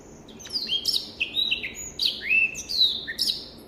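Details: Black-throated canary (Crithagra atrogularis), an African finch, singing a fast, high, unbroken warble of sweeping up-and-down slurred notes with short twittering trills; clear song used as a tutor recording for training cage birds.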